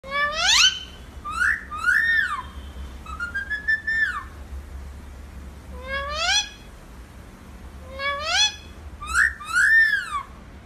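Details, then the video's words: Pet Alexandrine parakeet talking, said to be saying "mummy": loud harmonic squawk-like syllables, some rising and others arching up then down, come in short clusters separated by pauses, over a faint low hum. "Talking alexandrine parrot saying mummy"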